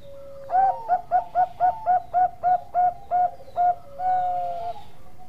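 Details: A Bangkok-type zebra dove, recorded as a master for training other birds, gives a quick run of about a dozen soft, clipped coos in steady rhythm, then ends on one longer, drawn-out purring note.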